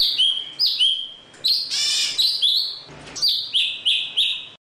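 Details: Java sparrow calling its flock in song: bell-like notes that step up and then hold level, repeated at an uneven pace, with a loud raspy hiss midway and another at about three seconds.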